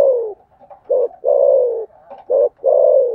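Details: Spotted dove cooing for a contest, in the thổ sấm manner. Loud, full, slightly falling coos alternate with short hard notes, with barely a pause between them. A close, clean recording.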